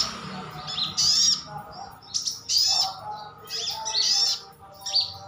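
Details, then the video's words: Caged sunbird, locally called sogon, sogok otong or sriganti, calling to prompt other birds to respond: sharp, high chirps and thin sweeping notes in bursts about a second apart, with a low hum underneath. "Suara panggilan sogon/sogok otong/sriganti pasti nyaut."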